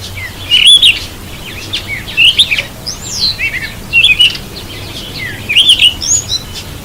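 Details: Cape robin-chat taking a bath; repeated short, sharp, high twittering notes in irregular bursts, about one every second or two, mixed with soft flutter and splash-like clicks over quiet background hum.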